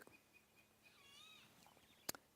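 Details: A Golden-tailed Woodpecker at sunrise on June 23, 2016 in Sabi Sands, South Africa gives one drawn-out, nasal, wavering note lasting about half a second. Faint bird twitters and a sharp click are also heard.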